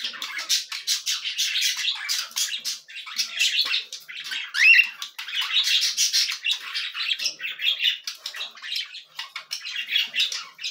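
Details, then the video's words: Hungry cockatiel chicks at feeding time make a nearly continuous stream of rasping, wheezy begging squawks, with barely any pause and one brief thin whistle midway. "Alimentação para filhotes de Calopsitas."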